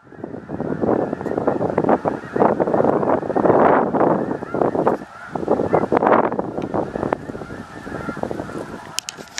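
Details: Snow geese stopped at Tyrrell Lake on migration to the Arctic: a dense, continuous clamor of overlapping honks and yelps from a large flock, swelling and fading in waves, with wind noise throughout.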